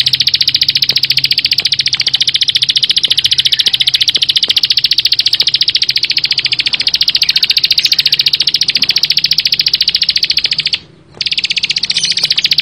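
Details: Bar-winged prinia in full 'bren' song, pouring out a rapid, tightly packed stream of high, dry chips for over ten seconds. A brief pause near the end is followed by the same rattling run.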